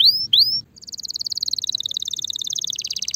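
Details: Spanish Timbrado canary, ready for mating, singing: two rising whistled notes, then a long fast metallic rattle of clicking notes near one pitch, lasting over two seconds.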